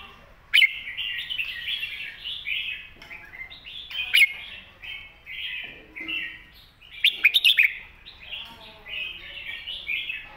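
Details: Master-style song of a red-whiskered bulbul, clear and meant for teaching young birds: three bouts of quick, bubbling warbled notes, each opened by a sharp click, with softer trailing phrases between.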